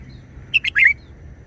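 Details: A single short forest-style phrase from a red-whiskered bulbul: two crisp whistled notes followed by a longer, bubbling, descending warble, all within half a second, against quiet low hum.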